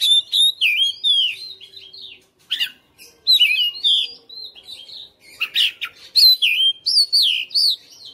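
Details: House-kept fighter white-rumped shama singing energetically: loud curling whistles and downslurs in quick bursts, sharp clicks between, with short pauses separating phrase groups.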